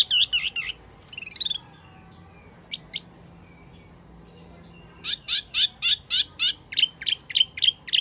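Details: Wambi Mini lure sound: a cluster of quick chirps and a short buzzy burst, a mostly quiet stretch, then a steady series of loud, bright chirps about three per second.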